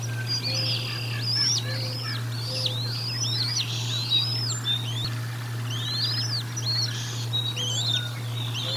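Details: Bald eagle at the Decorah North nest during a feeding, captured by a nest camera, dated 04 01 2022: a long run of high, thin, arched whistled chirps, some overlapping, over a steady low electrical hum.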